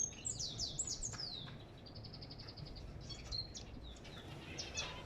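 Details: African goldfinch singing a quick, high twittering song of thin chirps and short descending whistles, notes tumbling irregularly over faint low background rumble.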